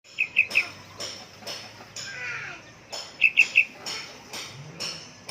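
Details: Young yellow-vented bulbul calling actively: two short runs of three bright, clipped, high chip notes in quick succession, separated by about three seconds, over faint background clicks and knocks.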